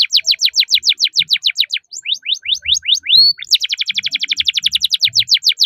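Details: Canary with long rolling song for training young canaries: dense run of descending chirps about four per second, a few slower upward sweeps, then an even faster steady roll, faint low knocks in the background.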